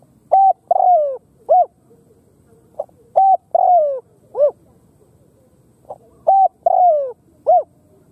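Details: Khmer spotted dove repeating its cooing phrase three times, about every three seconds. Each phrase has a soft pickup note, a level coo, a longer falling coo and a clipped, rising-then-falling ending.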